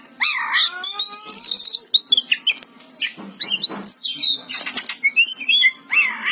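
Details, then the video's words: Gacor singing by an Oriental magpie-robin (kacer): a swooping whistle and descending series of clear tones, then buzzy chatter, sharp chips and upward-flicking whistles repeated through the phrase. "Suara burung kacer gacor"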